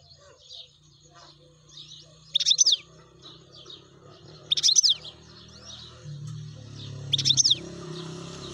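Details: Wild European goldfinch calling with three short, sharp twittering bursts spaced about two seconds apart over a steady low hum.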